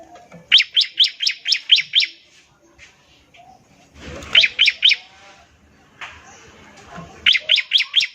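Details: Bar-winged prinia in full song, a trilling ngebren used to prompt other prinias to sing: sharp, bright chip notes fired rapidly in bursts of seven, then three, then four, with quiet pauses and faint rustling between.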